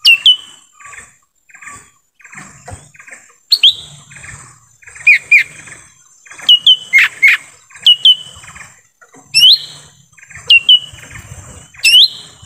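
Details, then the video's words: Lesser green leafbird in forest, sound used as a lure for wild birds: repeated sharp whistled notes sweeping down, often in pairs or threes, with occasional harsh bursts and quiet gaps, over a faint high hiss. "suara asli pikat cucak ijo mini di hutan"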